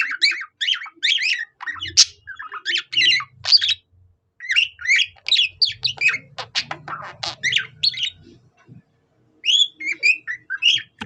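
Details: Budgerigar imitating a cockatiel in an extended chattering warble, bursts of chirps and whistles separated by short pauses, with a stretch of scratchy clicking sounds near the middle and faint low noise.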